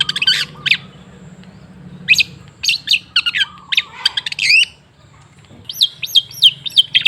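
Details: Long-tailed shrike song serving as a lure to restart silent shrikes: scratchy chattered phrases and harsh notes separated by short pauses, ending with looping, rising and falling whistled notes repeated several times.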